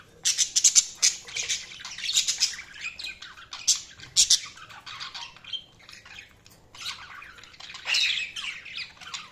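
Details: Budgies keep up a lively chirping chatter of sharp high squeaks and raspy trills in uneven bursts, easing to softer warbling before a final louder phrase.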